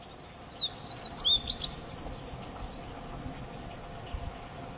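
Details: Meadow bunting (Emberiza cioides) sings at very close range from a tree in a park garden in Higashi-Mikawa, Japan, in May 2017, one quick phrase of high, sharp chirps and thin slurred notes lasting about a second and a half.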